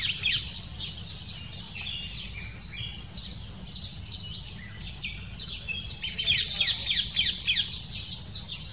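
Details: Black kite female feeding chicks at the nest after arriving with small prey; a nearly continuous stream of high, squeaky chittering, rising and falling in intensity, with a faint low background hum.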